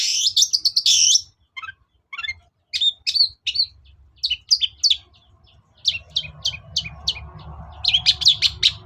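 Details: Long-tailed shrike (cendet) lure recording for a bird that is reluctant to sing: a loud harsh scratchy burst, then crisp chips and short notes over a faint low hum.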